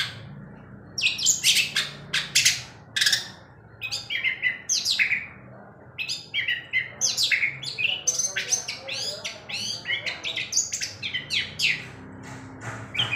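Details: Long-tailed shrike still in loud song after dark, tail constantly moving; a long, varied medley of rasping chatters, squeaks and clear whistled notes in quick irregular phrases, with little else audible.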